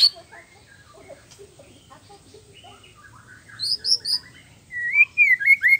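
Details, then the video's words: White-rumped shama (murai batu) song for stimulating other males: soft scattered notes at first, then high sharp whistles and loud upslurred whistled phrases near the end. "SUARA MURAI PASTOL GACOR FUL ISIAN"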